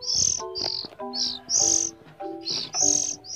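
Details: A hand-fed young Oriental Magpie-Robin, hungry in the morning just before feeding, gives harsh, hissing high-pitched begging rasps, about one or two a second, over soft background music.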